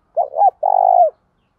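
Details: Spotted dove used as a lure, calling fast to bring wild doves near: one quick two-note coo, then a single long mellow hoot with a faint tremor, in quiet surroundings.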